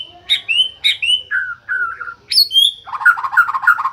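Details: Varied song of a white-rumped shama, a bird said to sing day and night: clear whistled notes that shift pitch, high sliding phrases, then a quick series of repeated fluty notes.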